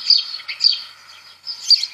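House sparrow giving bright, scratchy chirps in short bursts, two close together, a pause, then two more, with faint background chatter.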